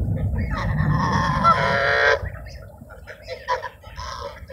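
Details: While being fed at Sunset Park on 10-10-17, ducks give a dense two-second burst of overlapping nasal honks over low rumbling, then a few scattered, quieter calls.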